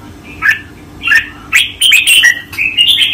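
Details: Caged red-whiskered bulbul master song for training, 2024: short whistled, warbling phrases in bursts, mostly mid-to-high pitched, with the notes growing denser and more continuous toward the end.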